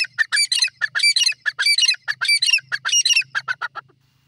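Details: Female grey francolin (teetar) calling in loud, scratchy bursts: grouped rasping notes repeated in a fast rhythm, tapering off at the end, over a faint low hum.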